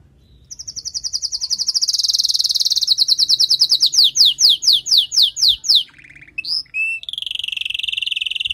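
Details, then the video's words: Female canary call meant to prepare and excite the male after moulting. A high rapid trill speeds up, breaks into slower descending slurred notes, pauses briefly, then gives way to a lower steady trill. "نداء انثى الكناري لتجهيز وتحفيز ذكر الكناري بعد غيار الريش"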